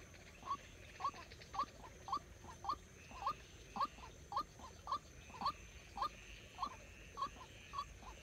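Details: White-breasted waterhen used as a trapping decoy repeats a clipped, hollow upward note about twice per second in a long, steady series, with faint noise behind it.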